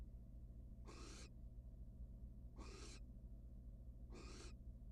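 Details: At a nest box, a wild barn owl pair: the male comes back with no food and the female shows no interest. Three long, harsh hissing rasps are spaced about 1.7 seconds apart against a low background drone.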